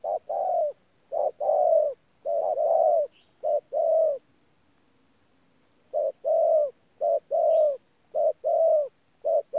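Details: Spotted dove, a wild-caught bird, recorded 14 January 2019 at Tu Mơ Rông, in 'pha gù' cooing: rapid low paired coos, a quiet gap near two seconds long, then the doubled short-long pattern resumes.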